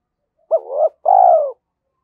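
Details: Single two-part coo from a spotted dove in challenging mode: a hooked note swelling into a soft rising coo, then a longer, warm, gently falling coo.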